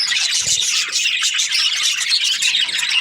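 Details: Australian budgies give a short burst of busy, high-pitched chirping and squeaky warbles, all crowded together with no gaps.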